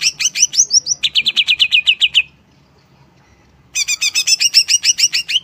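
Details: Greater green leafbird singing rapid runs of sharp, high chirps, each series of about ten notes slightly changing pitch, with a pause of over a second before another quick chattering run.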